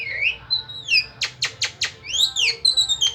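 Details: Melodious but odd starling song of sweeping whistles rising and falling, broken by four loud rasping clicks, then more arched whistled slurs and short pure notes.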